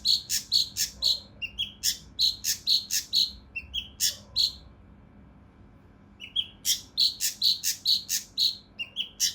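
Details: Mountain leaf warbler (cucak rante mas) singing harsh, dense 'tembakan' phrases for training competition birds: rapid bursts of loud, sharp chirps mixed with lower whistled notes, broken by a two-second silence before resuming.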